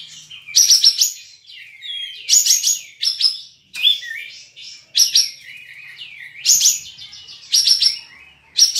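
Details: Online-contest cream-vented bulbul (kapas tembak), caged, from Singkawang, West Kalimantan, repeating loud high chattering bursts about every one to two seconds, each followed by softer descending whistles.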